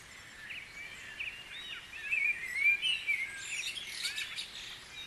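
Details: Several birds sing at once during the dawn chorus at Guisborough, bright whistled phrases sliding up and down mixed with rapid twittering, growing louder toward the middle before easing off.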